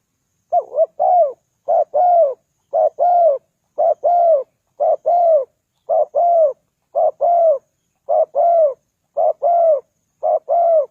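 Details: Spotted dove coos, used as a lure for wild doves. Ten steady two-note phrases, a short note then a longer arched one, repeated at an even pace of about one per second.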